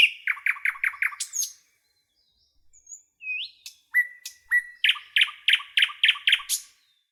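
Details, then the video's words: Forest nightingale song in bursts: a rapid series of six loud clipped chirps, a pause with a rising whistle, then level whistled notes and another quick rhythmic run of bright repeated chirps. "Canto do pássaro rouxinol na floresta"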